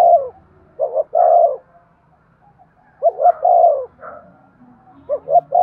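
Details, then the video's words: Cooing spotted dove used to encourage breeding, giving soft low phrases of two or three short hoots ending in a longer rounded coo, separated by pauses of about two seconds, against a quiet backdrop. "Tiếng chim cu gáy thúc gù cực đỉnh/ chim cu gay kich boi hieu qua"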